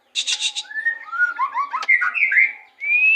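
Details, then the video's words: White-rumped shama in Indonesia singing a varied run of clear whistled slurs and rising notes mixed with quick chattering phrases, opening with a buzzy harsh burst. "murai batu"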